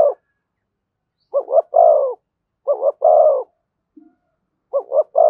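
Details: Spotted dove, thổ voice style with thúc and kèm, repeating a short stuttered double coo and a long, rich, low coo in regular groups with quiet gaps between.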